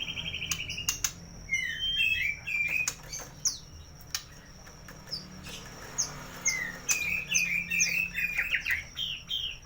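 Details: Full 'isian' song of a white-rumped shama, kept at a bird kiosk in North Jakarta and used to stir mute birds to sing: fast runs of clear rising and falling whistled notes in bursts, with loud clicks between phrases.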